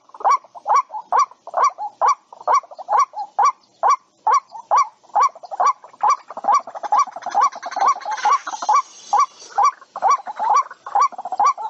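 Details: White-breasted waterhen call used as a lure for bird trapping: harsh, nasal croaking notes, about two a second, in a steady run, with faint overlapping calls in the background.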